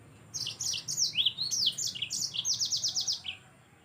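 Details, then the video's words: Energetic gacor song of a yellow-fronted canary, meant for training other birds: varied high chirps and slurred notes, then a rapid even trill of about seven notes ending on a lower slur. "Mozambik anda pasti ikut Gacor || Sangat Cocok Untuk Masteran Burung Anda"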